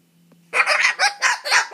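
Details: Pet cockatoo grumbling while trying to scare away a mosquito: a low hum, then a burst of harsh, throaty, rhythmic squawking syllables.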